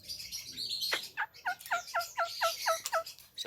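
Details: Javan myna, described as able to talk and in full voice: a sharp downward note, then seven or eight clipped, hoarse chirps repeated quickly at a steady pace, with faint background hiss.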